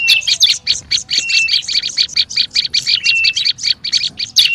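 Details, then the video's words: Lure call of the olive-backed tailorbird, noisy style: quick sharp chirps in clusters, roughly four to five per second, with two short steady whistled tones among them. "SUARA PIKAT BURUNG PRENJAK LUMUT RIBUT"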